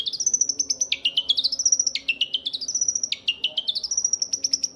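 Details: Young Long-tailed Shrike giving clear whistled phrases, each jumping down, then climbing in quick steps to a high, held note, repeated four times.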